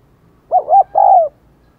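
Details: Spotted dove used as a decoy in the 'Đồng Còi' voice style, calling to stir wild doves to coo. One deep, soft three-part coo: two short wavering hoots, then a longer drawn-out note, against a quiet background.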